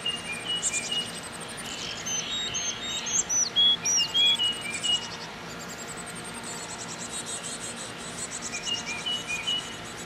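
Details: Chickadees feeding young at a nest box just before the chicks leave the nest; high thin chirps and short whistled notes in a busy run, repeated rapidly over steady background hiss.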